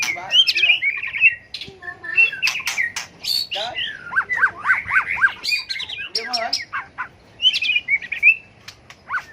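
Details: White-rumped shama, a tail-flicking bird, giving a competitive fighting song used to rouse and train other birds: a rich, varied run of whistled phrases near mid-pitch, mixed with sharp clicks and buzzy notes, in bursts separated by short pauses.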